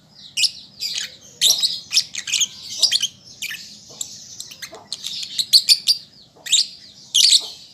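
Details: {'caption': 'A learning juvenile lovebird sings a busy, chattering run of harsh high chirps and buzzy squeaks. The notes come almost continuously in irregular clusters across the stretch.'}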